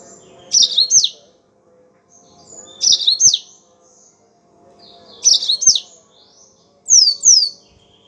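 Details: Yellow-fronted canary singing vigorously, used as a training recording to prompt other songbirds: short high twittering phrases of quick slurred notes, each burst about half a second, repeated roughly every two to three seconds with quiet gaps between.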